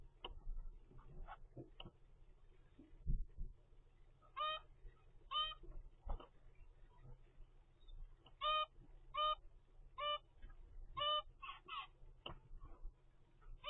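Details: Captive zebra finch chick, 25 days old, from a first clutch: short nasal honking notes, singly and in pairs, grow more frequent in the second half against a low background hum.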